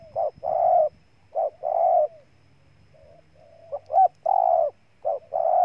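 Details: Spotted dove from Ninh Thuận, Vietnam, cooing: short clipped notes followed by longer, full, mellow coos, repeated in pairs, with soft, low, drawn-out murmuring coos between phrases. The background is quiet.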